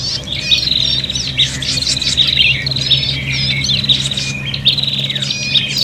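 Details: Prinia giving agitated fighting calls, used as a lure: a dense, buzzy, high chatter with rapid rising and falling trills that runs almost unbroken, over a steady low hum.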